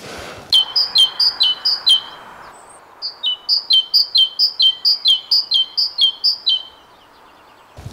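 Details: Great tit singing on a snowy morning in Scotland: a loud, ringing two-note 'teacher' phrase, repeated about twice a second in two quick runs, over faint background hiss.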